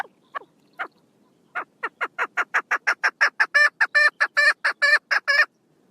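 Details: A few soft, downslurred notes open this female chukar partridge call series from 1 June 2022, then it builds into a fast run of loud, rasping chuck notes that grow harsher before stopping.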